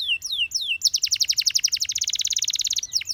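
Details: A Gloster canary, singing to coax companion canaries into song, gives three descending whistled slurs, then a fast, even, high trill of many rapid notes.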